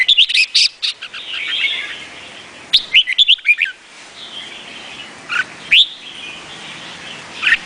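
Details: Vietnamese red-whiskered bulbul singing: a burst of sharp chirps, then short warbled phrases rising and falling, and a few brief notes near the end.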